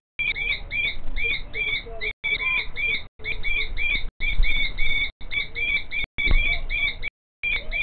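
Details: Female common kestrel shrieking in the background while the male shuffles in front of her making a nest scrape; loud, rapid strings of high, slightly wavering notes in bursts about a second long, with brief pauses and low rumble.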